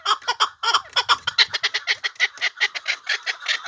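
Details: Chukar partridge kept as a hunting bird calling in loud rasping chuck notes, quickening toward the end into a steady run of rough pulses.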